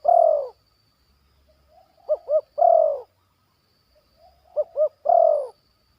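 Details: Zebra dove in a yard, a bird still in training that has learned the batuk and poin parts of its song. Phrases repeat about every two and a half seconds: two quick arched coos, then a long, throaty, rolling coo.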